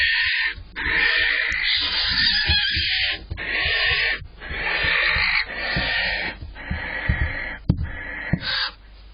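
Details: Barn owls at dawn on 5 April 2023, as the male brings frequent prey to the female, three items within an hour. Long, harsh, breathy hissing screeches follow one another almost without a break, with brief gaps and faint thumps below.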